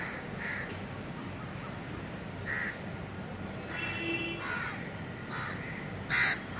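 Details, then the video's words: Indian house crows cawing in a city park in Delhi, calls used to communicate with other crows: spaced harsh caws, some distant and faint, one louder near the end, over constant low traffic-like noise. "Crow Sound In Park In Delhi India"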